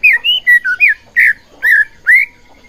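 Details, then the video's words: White-rumped shama song used to provoke other shamas into singing, a series of rich whistled notes, some rising, some falling, in short separated phrases. "Pancingan Murai Batu Agar Bunyi Ampuh Bikin Emosi Murai Batu Lain"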